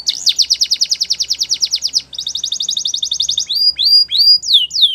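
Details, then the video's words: Belgian canary delivering two fast rattling trills at different speeds, followed by a few loud, drawn-out falling whistles. "Make Your Canary Singing Like Champion | Belgian Canary Song"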